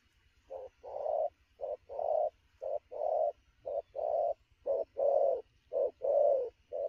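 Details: Wild-caught spotted dove, lively at noon, in fast cooing: a clipped coo then a longer rounded coo, the pair repeated steadily almost every second without pause.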